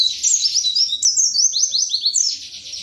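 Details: Wiksar pleci, an Indonesian white-eye, in 'tembakan materi' song: quick series of high, sweeping chirps and slurred descending notes packed together, with one sharp click partway through.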